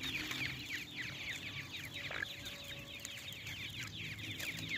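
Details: Captive-bred black francolin (Irani teetar) chicks with adults give rapid, high, thin peeping chirps, several each second and overlapping, over a soft low background hum.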